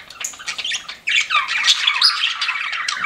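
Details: A few sparse, high squeaks from pet budgies give way after a brief lull to a steady flow of raspy warbling chatter with whistled squeaks mixed in.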